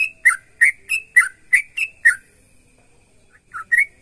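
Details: Lively sooty-headed bulbul song meant to spur other bulbuls into singing: seven quick liquid whistled notes in a row, a gap of about a second, then two more.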